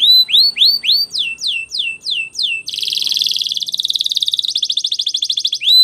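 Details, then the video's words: Training song of a canary: a string of rising then falling looped whistles, followed by a dense, rattling high trill that shifts into a slower, evenly pulsed roll. "Canary singing Training Video"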